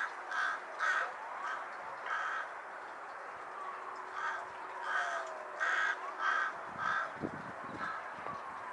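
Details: Carrion crow giving harsh, hoarse caws in loose runs of two or three, roughly every half second, over a steady hum of background noise.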